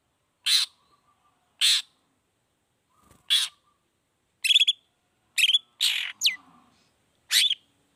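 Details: Long-tailed shrike, gacor 'toet toet' variation used as a pancingan lure to prompt other shrikes to sing: harsh, broadband rasping notes spaced about a second apart, some ending in short rising whistles.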